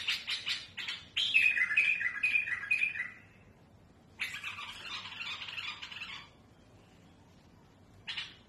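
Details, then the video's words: Song of a tamed bulbul, smooth yet harsh-voiced, for teaching chicks: rough scratchy bursts, a brief clear warbled whistle, then a long raspy chattering passage and a short gap. "بلبل المطوعة سلسة وصوت خشن رهيب لتخريج الافراخ"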